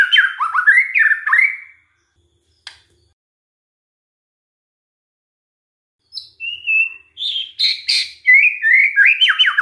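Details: Lure recording of white-rumped shama song to trigger other shamas: jumbled warbling phrases, a long silence with a click, then a clear whistle and lively mixed whistles and harsh notes.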